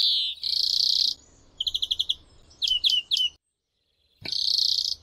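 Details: Greenfinch song: a buzzy wheeze opens, then a quick run of clipped trilled notes and a burst of sharp, downslurred chirps, a pause, and another long nasal wheeze. Faint low background rumble.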